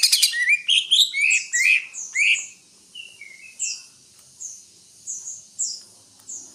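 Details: Greater green leafbird opening with a busy burst of chirps and whistled slurs, then a few short mid-pitched whistles and widely spaced thin, very high notes.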